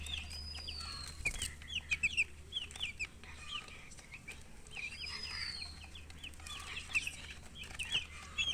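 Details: Peeping chicks, with bright, clipped chirps coming in scattered clusters and brief quiet gaps between bursts, plus a faint gliding tone and low hum behind them.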